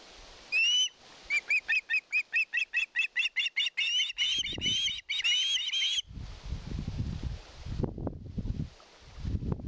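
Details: Begging for fish at a Finnish nest in Satakunta, 2022, an osprey gives a quick train of clipped, piping whistles for about five seconds, then low rumbling wind or handling noise takes over.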